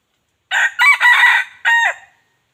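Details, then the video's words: Wild junglefowl rooster crowing, a recording used to lure wild fowl: one loud, harsh crow in four bursts, a short note, a second note, a long sustained middle phrase and a falling final note, against a silent background. "suab qaib qus zoo dib qaib tuaj zoo heev"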